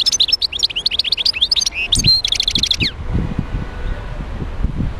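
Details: Twittering song of a wild European goldfinch from Médéa: a fast tumbling string of high liquid chirps and buzzy notes for three seconds, then only faint background noise.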